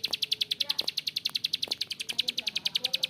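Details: Bar-winged prinia delivering a long ngebren run with a rough voice: a fast, even train of sharp, dry clicks, about three and a half per second, with no other notes.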